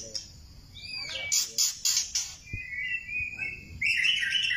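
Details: White-rumped shama of the Thailand type singing: bright whistled phrases, a burst of rapid loud repeated notes, then a long sustained whistle and a rising, warbling flourish at the end.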